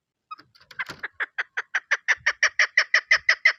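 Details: Female chukar partridge calling as a hunting lure: a run of short, clucking notes that starts hesitantly, then quickens into a steady, evenly spaced chatter of about three notes a second.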